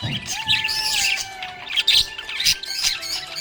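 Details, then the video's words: Happy budgerigar chirping in busy high twittering bursts, mixed with a sustained steady tone and other steady background tones, possibly music. "Happy budgie chirping sound"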